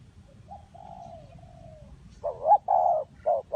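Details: Spotted dove calling in a setting for luring wild doves to a bird trap: soft, drawn-out faint coos, then a loud burst of short, bubbling cooing notes at the end.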